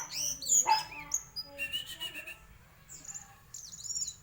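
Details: White-throated flycatcher giving song variations: sharp high whistled slides and chirps, a short series of rapid clicking pulses, then rising and falling high whistles near the end over a low hum.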